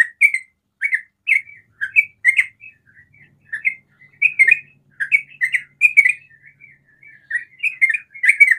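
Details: Sooty-headed bulbul in 'ropel' song, used to provoke other bulbuls into calling; steady stream of short, gurgling, rising and falling chirps, grouped in phrases of two to four notes with brief gaps.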